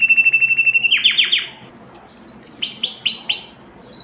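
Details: Singing canary, song used to arouse hens for breeding: a fast even trill, then a few sweeping down-slurred notes, followed by a series of loud descending swoops and a short high note.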